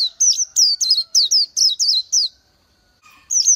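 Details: Oriental white-eye, a small green-backed bird with white eye-ring and yellow throat, singing: a quick series of high, sweet, twisting chirped notes, each one dipping and rising, given in a burst then a pause before more.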